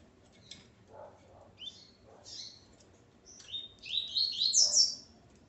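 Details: Double-collared seedeater male, kept with his female, singing a late burst of rapid rising, slurred chirps that climb in steps and grow loud and dense toward the end, after a few scattered thin notes over a faint low hum.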